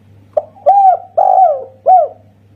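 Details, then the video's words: A single phrase from a local Indonesian spotted dove with a 'kuk satu' voice: one short note, then three soft rounded coos dropping slightly in pitch, the second drawn out; faint low hum underneath. "Masteran Tekukur Kuk Satu Suara Istimewa."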